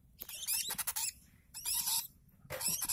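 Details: One-month-old lovebird chick begging while being hand-fed, giving bursts of shrill, rapid, high squeaky chirps in three short runs with pauses between, plus soft scraping feeding noises.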